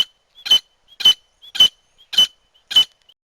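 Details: A grey francolin hen, her voice used as a hunting lure, calls in a steady series of harsh, ringing notes, each led by a soft short note, about twice a second.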